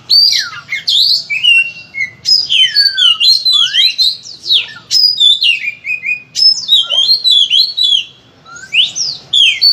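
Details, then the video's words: Oriental magpie-robin in full, loud lure song: long downslurred whistles, upward sweeps and fast chirping notes, phrases following one another every second or so. "Masteran Suara Kacer Gacor Volume Ngotot Full Isian, cocok untuk pancingan Kacer Rajin Bunyi"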